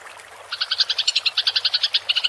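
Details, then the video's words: Rolling fighting chatter of a Eurasian tree sparrow for songbird tutoring: after half a second of quiet, a quick burst of about fourteen ringing chirps follows in steady rhythm. "MASTERAN GEREJA TARUNG NGEROL suara jernih + jeda air"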